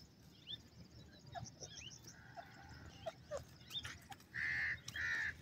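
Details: Francolin (teetar) calling on a morning walk in open country: two loud, harsh, buzzy notes near the end, each about half a second long, after scattered faint chirps and thin whistles from other birds.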